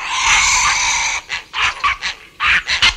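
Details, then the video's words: Grey heron giving aggressive calls, recorded close up in Kent, UK: a long, harsh, grating squawk, then four or five shorter rasping croaks in quick succession, with house sparrows and a starling faint in the distance. "Grey Heron. Aggressive Calls"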